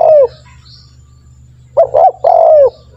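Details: Tekukur, the spotted dove, used as a training lure; the tail of one coo, a pause, then a double note and a long falling coo, over a soft low hum.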